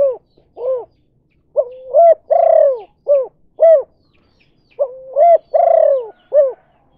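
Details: Tekukur (spotted dove) 'kuk 2' lure call for drawing in other doves; mellow cooing phrases given twice, each a double coo and a long sliding coo, with short single hooked coos between, about seven seconds.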